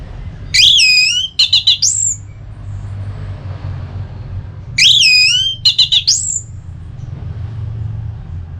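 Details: Orange-headed thrush singing ngeplong, used to spur another bird into song: a looping high whistled phrase with a few sharp clicks, repeated twice about four seconds apart, low hum between.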